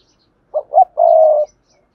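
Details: Spotted dove singing the Cườm Sa song style, a bird with a voice described as hạp bổi: two short low coos, then one long steady hooting coo in near silence.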